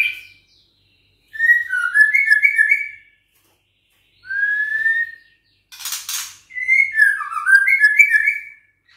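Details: Juvenile white-rumped shama, six weeks old, Bahorok line, held in a cage and fighting back vocally against a challenger: tumbling runs of quick whistled notes, a single smooth rising whistle, and a short rattly burst between phrases.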